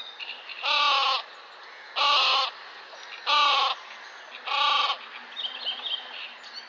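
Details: Great crested grebe with chicks at Tovačov ponds, Czech Republic, 2013–2014: four loud, harsh, grating calls, each about half a second long, spaced roughly every 1.3 seconds, with faint higher chirps between them.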